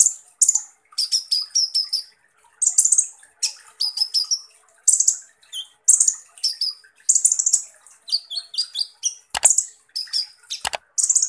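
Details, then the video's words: Van Hasselt's sunbird, locally kolibri ninja, pouring out rough-shot song: fast clusters of piercing high chirps and buzzy rattles, phrases roughly every second, plus two sharp click-like snaps near the end. "Dengan CEPAT konin NYAUT dan GACOR dengar SUARA BURUNG Kolibri Ninja Full Tembakan Kasar ini"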